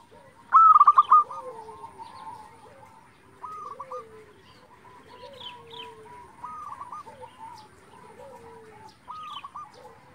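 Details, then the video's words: Local zebra dove song used to provoke other doves: one loud, rapid stuttering trilled phrase near the start, followed by several fainter coo phrases and low drawn-out coos from other doves in the background. "pancingan perkutut lokal gacor hitungan detik saja langsung nyaut"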